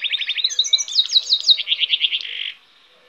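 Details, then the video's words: Hybrid goldfinch singing a quick run of rapid rattling trills and sweeping high notes, ending in a fast buzzy series before falling silent. "cante de hibrid de sticlet - Mixto de Jilguero - الهجين الحسون"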